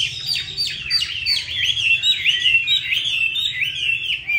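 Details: Chinese hwamei in Hanoi, described as having a good voice, pours out a loud continuous warble of fast slurred whistles, leaping and falling notes blended into a rich, unbroken phrase.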